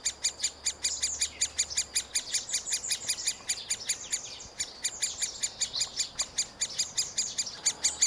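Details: Middle spotted woodpecker chicks at the nest, fed by both parents, produce a fast, continuous series of thin high chirps at nearly three per second, at times merging into a denser chatter, with a faint low hum early on.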